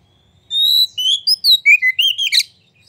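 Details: White-rumped shama singing to prompt other birds to sing, opening with a sustained pure whistle and breaking into a rapid series of rising and falling whistled phrases that finish with a rough, buzzy note.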